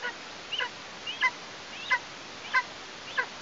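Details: Young Eastern imperial eagle, a female fledged on 14 August, heard close to her Tatarstan nest on 17-08-2023; hoarse, bent calls come roughly every 0.6 seconds, each a short rasping note, with even background noise.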